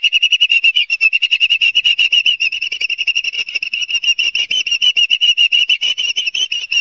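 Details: Ospreys at Barnegat Light, New Jersey, on a live nest camera, 5 September 2022 at 11:06, sped up: an unbroken series of loud, piping whistled chirps, several each second, at a fairly even pitch for seven seconds.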